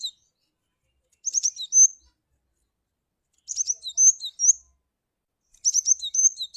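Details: Lure call of a cinereous tit repeated roughly every two seconds: stuttering bursts of high chirps, a clear whistle, and lower slurred notes, with silence between phrases.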